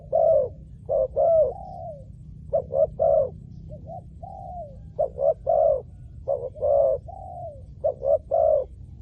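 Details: Spotted dove, used as a lure for wild doves, giving rhythmic coo phrases: a burst of short hoots, then a smooth descending coo, repeated with short gaps over low background noise.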